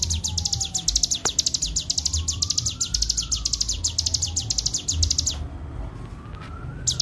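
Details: Bar-winged prinia singing a clear 'ngebren' training master: dense, quickly repeated high-pitched notes forming a long chattering trill that stops abruptly near the end, with a siren-like slide rising and falling in the background.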